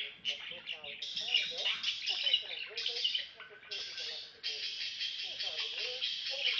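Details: A pet budgerigar chatters in a scratchy, buzzing warble of squeaks, clicks and speech-like bursts, though most chirping heard comes from a budgie video playing in the background, not the bird itself.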